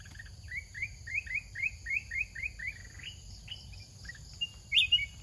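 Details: Caged red-whiskered bulbul of the charcoal-headed type, a large wild-caught bird with a big voice and a fierce, fast-cycling singing style, kept for training: a rapid string of short rising whistled notes, then a few louder sliding phrases, over low background hum.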